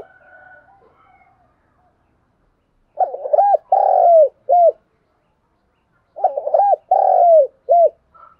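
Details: Morning decoy cooing of a spotted dove: two matching phrases about three seconds apart, each a quick double coo, a long drawn coo and a short closing note, with quiet pauses between.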